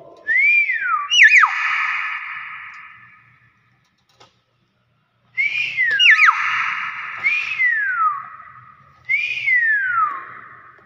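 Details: Nias hill myna whistling in bouts: swooping, falling whistles mixed with quick wavering notes, a silent gap, then more downward-sliding whistles in a loose series.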